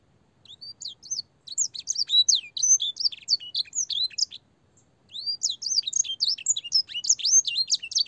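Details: Clear-voiced canary singing a long master song for tutoring young birds, filled with blackthroat and singer passages: two bursts of rapid, high whistled sweeps and chirps, split by a short pause near five seconds.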